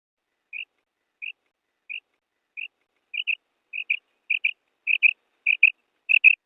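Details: Calling female quail, real natural sound for hunting: soft single notes spaced about 0.65 seconds apart, shifting to quicker doubled notes that grow louder toward the end.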